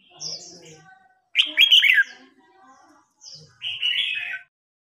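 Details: Red-whiskered bulbul in a singing match, a seasoned wild bird stirring up a young rival: a loud tumbling warble, then a softer high note and a second, smoother phrase.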